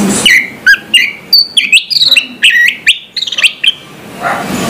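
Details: Orange-headed thrush singing in the morning, a lively string of sharp chirps and whistled slurs spaced closely together, with faint background hiss.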